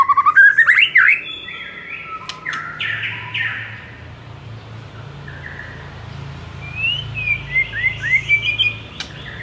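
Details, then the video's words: Murai song played as a training recording to provoke other murai into replying: a clear whistled rising note and quick slurred phrases, then a quieter gap, then a run of bright rising and falling whistles near the end over low background hum. "SEKALI DENGAR Murai LANGSUNG NARUNG dengan MASTERAN satu ini"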